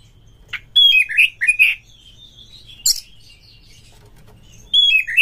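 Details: Oriental magpie-robin lure song: scattered bright high whistles, short rapid chirps and scratchy notes in bursts separated by pauses, with a faint low hum behind.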